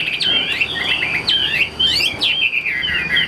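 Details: Caged Chinese hwamei singing long slurred whistles that swoop down and climb again, phrase after phrase with short breaks, loud and clear against a quiet background.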